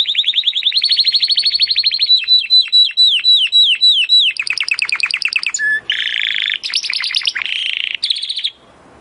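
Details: Timbrado canary singing for training purposes: long rolling trill, then evenly repeated downslurred notes, faster falling sweeps, and a low buzzy roll among short whistled phrases.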